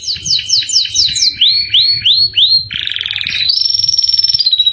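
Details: Canary song used for training captive birds: quick falling whistles, then rising upslurred notes, a dense buzzy rattle, and finally a very high, fast, even trill, with a faint low hum underneath.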